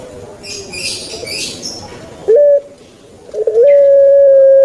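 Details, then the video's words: Kept puter pelung turtle dove after a hissy noisy start: one short note, a brief stutter, then a long level hooting tone held to the end. "𝙋𝙐𝙏𝙀𝙍 𝙋𝙀𝙇𝙐𝙉𝙂 𝙎𝙐𝘼𝙍𝘼 𝘼𝙎𝙇𝙞 𝙋𝘼𝙉𝙅𝘼𝙉𝙂 𝙆𝙒𝙊𝙆 𝙏𝙀𝘽𝘼𝙇"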